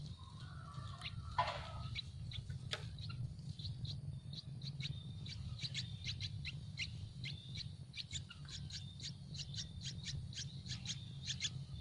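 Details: Hungry Yellow-vented bulbul nestlings in a tree nest begging for food. After a few scattered notes and a short lower whistle, a rapid, insistent series of high, clipped chirps builds and keeps going.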